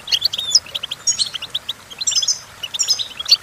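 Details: Goldfinch singing, used as a model for teaching goldfinches: sparkling high notes, a few clear whistled slurs and rapid chirps in two short, energetic bursts.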